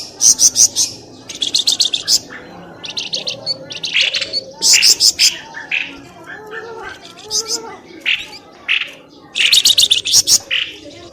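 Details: Bird lure call played to draw birds out of dense bushes; loud bursts of sharp, high chattering notes in quick clusters, pausing briefly between groups, with softer lower chirps and warbles underneath.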